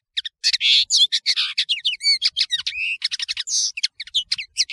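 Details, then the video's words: European serin, the nino, in full song on a tutoring tape: a rapid, tumbling jumble of high buzzy twitters, sharp squeaks and clear slurred whistles running continuously for several seconds. "تغريد طائر التفاحي"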